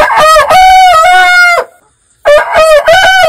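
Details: Loud rooster crow: a stuttered opening and a long, level, ringing note ending abruptly. After a short silence, a second crow starts the same way.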